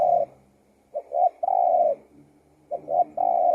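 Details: Spotted dove singing: low, soft cooing phrases, each two quick short notes leading into a long drawn-out coo that falls at the end. Two full phrases follow the tail of an earlier one, in a quiet setting.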